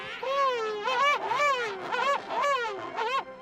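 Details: Female King penguin among many vocalizing penguins, November 2019, gives an individually distinct signature call: loud and trumpeting, with rich wavering notes rising and falling in quick pulses, repeated several times.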